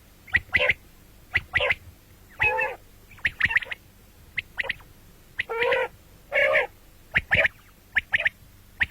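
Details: Common quail calls, described as heard morning and night: short sharp clicking notes in pairs and triplets mixed with longer nasal, buzzy bursts, irregular, against a quiet background.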